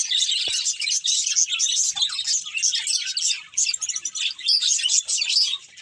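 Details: Budgies chirp and chatter in quick bursts of high, thin tweets and short whistled notes, pausing briefly around the middle before the busy twittering resumes.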